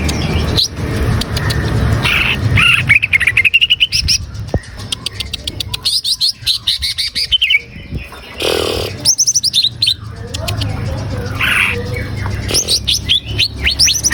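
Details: Green leafbird in varied, energetic song, played to coax a caged bird into singing; rattling chip series, twittering runs and whistled slurs tumble one after another, with occasional bursts of hiss between phrases.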